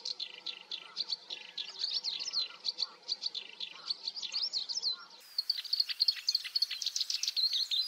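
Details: Training recording of black-browed reed warbler song: continuous hurried chatter of harsh, buzzy and squeaky notes, briefly repeated. A sudden splice near the end brings louder, higher, more metallic chirping.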